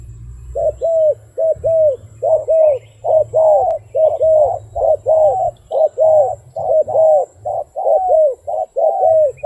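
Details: Wild dove cooing in rapid, paired, slightly downslurred coos, roughly one per second without pause for the whole stretch, over a steady low hum.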